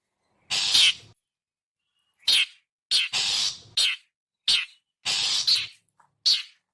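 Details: Lure call of the long-tailed shrike: a series of harsh, buzzy rasps, some drawn out and some short and abrupt, about nine notes in under seven seconds with brief pauses between.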